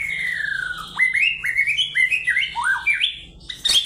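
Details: Energetic fighting-style song from a kept white-rumped shama. A long falling whistle is followed by a string of sharp upward-jumping whistled notes, ending in a harsh burst.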